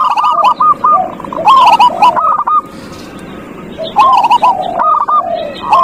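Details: Several zebra doves sing as a lure to stir a quiet dove: bursts of quick, hooked cooing notes tumble over one another, pause briefly, then resume with sliding falling coos.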